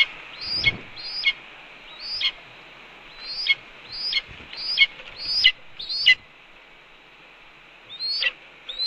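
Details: Red-tailed hawk pair at a nest, the female calling at the male as he brings a chipmunk; series of high, thin downslurred squeals in quick succession, a pause, then two more, with soft thumps underneath.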